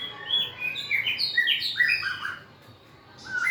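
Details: White-rumped shama in full song, with dancing and tail wagging: a quick cluster of sweet, slurred whistles sliding up and down, followed by a brief pause and one more rising whistle.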